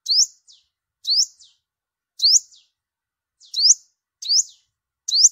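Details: Migration-season lure of a yellow-bellied olive-backed sunbird: strong high upslurred whistles about once a second, each trailed by a soft falling flick, with no background noise.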